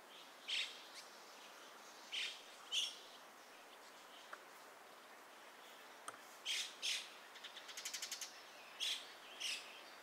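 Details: Dusky thrush (Turdus naumanni eunomus) recorded 27 January 2021 at Gaikotsu-yama, with the background replaced by separately recorded ambience. Short, high squeaky calls come singly or in pairs, one brief rapid rattle sounds midway, and a steady hiss runs throughout.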